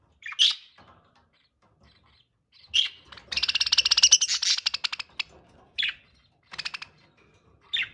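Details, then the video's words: Mating budgerigars: sharp chirps, then a fast rattling series of clicky pulses lasting about two seconds, followed by more isolated squeaky chirps. "Birds Mating/budgie mating"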